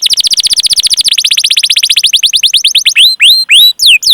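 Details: Canary rolling song for prompting other canaries: a very rapid trill of falling notes slowing into separated chirps, then loud rising and falling whistled slurs.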